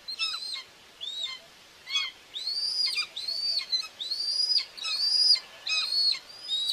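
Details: Common buzzards at a nest in Tiszalök, Hungary, on June 2, 2024, with the mother feeding two chicks, filmed by a live nest camera. Thin, high whistled calls rise, hold level, then drop sharply at the end. They repeat roughly once a second with short gaps.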